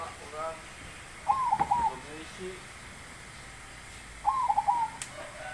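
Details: Big-voiced zebra dove delivering two bubbling cooing phrases about three seconds apart. Faint chirping from another bird is heard at the start, with a light click near the end.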